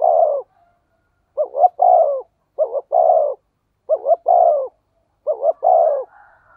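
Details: Thunder-voiced 'thổ sấm' spotted dove used to lure and stimulate other doves: five steady phrases about every 1.2 seconds, each two short stuttered coos then a long, slightly falling note.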